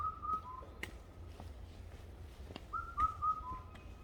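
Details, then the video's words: Mountain birdsong: a clear whistled phrase of three or four slurred, falling notes given twice, separated by quiet stretches filled with low background hum and occasional soft taps. "산속 리얼 새소리"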